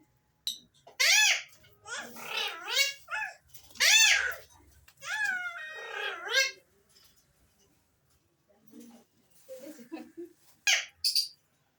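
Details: Alexandrine parakeets deliver a run of loud arched calls with rich overtones, crowded together in the first half, then scattered softer notes and two brief sharp calls near the end.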